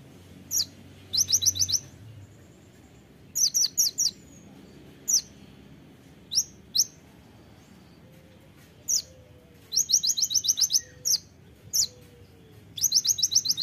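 Van Hasselt's sunbird singing very high, sharp bursts of rapid ticking trills mixed with single thin chips. Faint low whistles from another bird sit in the background.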